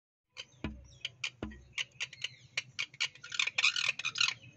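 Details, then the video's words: Parrot giving a rapid series of short, sharp chirps and clicks, roughly three to four per second, building into denser, harsher squawking bursts toward the end, with a couple of low thumps early on. "cute parrot 🦜 voice"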